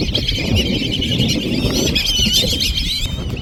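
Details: Black-bellied Whistling Ducks massed in a loud flock, heard from among the birds. Overlapping high whistles and squeaky notes rise and fall over a steady low roar of crowd noise.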